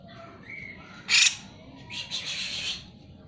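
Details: Cucak jenggot singing vigorously, used as a lure to prompt lazy birds to sing: a few soft whistled notes, then one loud harsh burst and a longer rasping, buzzy phrase.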